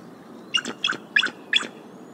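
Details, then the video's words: Mother bald eagle at the Decorah nest, 29 January 2022, calling a warning as a sub-adult visitor and a skier come near. Four short, sharp chirping notes, evenly spaced about a third of a second apart, over a quiet background. "Mom Concern Vocals"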